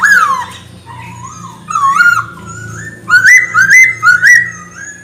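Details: Chinese hwamei singing energetically to provoke other pet birds; loud, clear whistled phrases sliding down then rising, ending in a bright series of repeated looping whistles, over a faint low hum.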